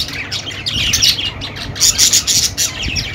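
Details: Budgerigars, a pet parrot, heard in a dense burst of high chirps and scratchy squawks overlapping continuously, several birds chattering together with sharp bright notes clustered near the top of the range.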